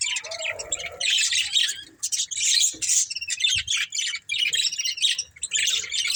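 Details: Budgerigars of a breeding pair keep up continuous harsh, buzzy chattering in rapid bursts of high, scratchy notes, separated by brief gaps, with faint low thumps beneath.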